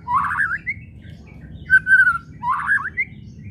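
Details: White-rumped shama whistles used to provoke other shamas into singing: three rising and falling whistled phrases, slurred and slightly warbling, over a steady low rumble of background noise.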